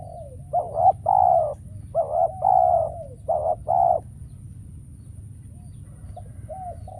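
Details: Decoy spotted dove calling during trapping, wild doves rare. Three paired low coos in quick succession, then only faint, soft, distant-sounding coo notes trailing off.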